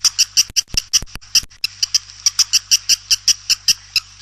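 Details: Swiftlet repeating short, high, pure chirps about four to five times a second in an even series, with a few sharp clicks near the start over a low hum.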